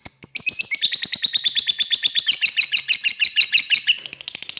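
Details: Rapid, continuous chattering from a lovebird calling to an opponent: dense shrill notes, several per second for over four seconds, wavering up and down in pitch.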